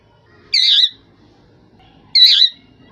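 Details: Two harsh, rasping squawks about one and a half seconds apart from a rose-ringed parakeet, with faint low background rumble.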